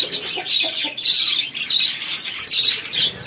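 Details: Feeding chicken chicks in a packed chorus of shrill chirps, with a few lower clucking notes heard early on.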